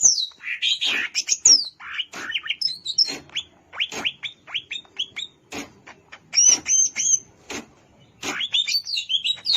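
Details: Wild greater green leafbird song from Alas Purwo in Banyuwangi, dense and varied: tumbling slurred whistles, clipped chirps, and high thin trills running almost without break over a quiet background.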